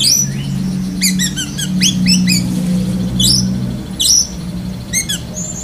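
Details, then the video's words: Lovebird-imitating song of a black-breasted Oriental magpie-robin: a string of rising squeaky upslurs at varied pitch, then scattered sharp high chips and short whistles, with a steady low hum underneath. "Kacer DAHIT besetan kapas tembak sambung lovebird"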